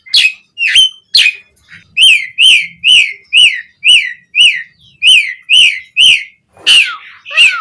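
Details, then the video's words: Asian pied starling song for coaching captive birds: a few sharp squeaks, then a steady series of about ten clear falling whistles, roughly two per second, closing with harsher downslurred notes. "Suara Jalak Suren Gacor Full Isian Variasi Buat MASTERAN & PANCINGAN Burung Jalak Agar Gacor Isian"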